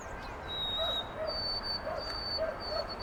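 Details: White-throated sparrow in Carl Schurz Park, New York City, 25 March 2021. A pure whistle rises to a higher note that repeats in three-note groups. Soft, lower yelping sounds and steady city hum are heard beneath.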